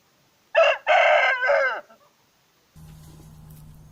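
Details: Crow of an Aseel cock, loud and hoarse, with a clipped first syllable followed by a sustained rough note that falls away, then a steady low hum of background noise.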